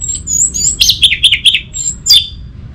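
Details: Orange-headed thrush song used as a lure for a stalled cage bird: thin high whistles, then a quick string of chirpy warbled notes and a final sharp note, with a soft low hum behind.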